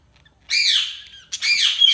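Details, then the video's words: Budgerigars calling: after half a second of quiet, a long harsh, rasping chirp of about three quarters of a second, a short pause, then a second strained, buzzy call. "Budgies Chirping sound"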